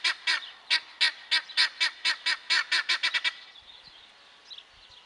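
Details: Displaying male guineafowl calling in a loud run of about sixteen harsh, grating notes, at first spaced and then quickening before stopping abruptly, followed by quiet background.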